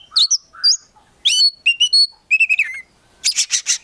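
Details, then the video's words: Oriental magpie-robin kept as a contest prospect, singing a varied phrase set: chirped double notes, clear whistled tones, a rapid trill run, then three loud rasping bursts. "KACER GACOR FULL ISIAN BIKIN KACER APAPUN LANGSUNG NYAUT"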